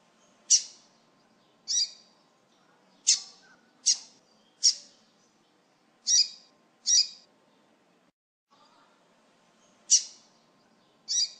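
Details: Double-collared seedeater calls used to warm up and stimulate another bird: nine short, sharp, high chirps spaced about one to one and a half seconds apart, with a brief pause near the end and a faint low hum beneath.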